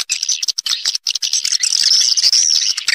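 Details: Swiftlet call used as a roosting lure: busy high twitter with a thin, drawn-out whistled trill rising over the chorus in the second half.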